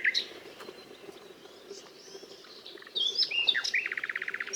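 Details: Nightingale singing: scattered high chirps and whistled slurs over a steady low hum, then a loud burst of varied notes ending in a fast, evenly repeated trill of about a dozen notes.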